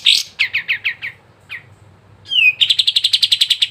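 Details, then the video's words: Sooty-headed bulbul, played as a lure to make lazy caged birds sing: five quick descending chirps, a lone chirp, a slurred downward whistle, then a fast, even rattle of about a dozen sharp notes. "PANCINGAN BURUNG KAPAS TEMBAK MALAS BUNYI CEPAT IKUT GACOR"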